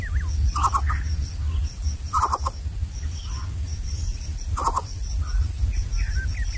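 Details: In a greater coucal nest, differently sized chicks compete for food and the smallest misses out; rasping clustered call bursts repeat three times at irregular gaps, with faint softer notes between and short high chirps near the end.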